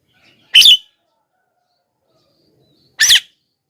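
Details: Javan myna (jalak kebo) call used to lure wild mynas: two loud, harsh, noisy squawks about two and a half seconds apart, with silence between them.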